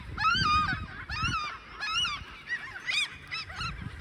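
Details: Mother gull calling loudly to defend her chicks on the ground in a school yard, chasing people away: harsh, nasal, wavering cries in bursts about every second, later shorter sharper calls, with a person talking in the background.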